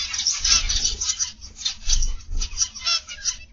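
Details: Zebra finches in an aviary, morning: a busy flock chattering with rapid, nasal, toy-trumpet beeps that overlap almost continuously, over a low background rumble.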